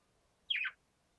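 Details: Rook perched on an antenna gives a single short, hoarse call that slides downward, about a quarter second long, against an otherwise quiet background.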